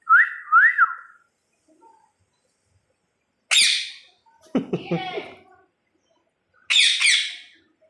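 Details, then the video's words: Talking parakeet giving two quick rising-falling whistled notes, then a pause before harsh, raspy screeches and a noisy, gravelly burst, ending with another shrill screech. "এমন কথা বলা টিয়া পাখি আগে দেখেননি। মানুষের সব কথাই বলতে পারে এই টিয়াপাখি।"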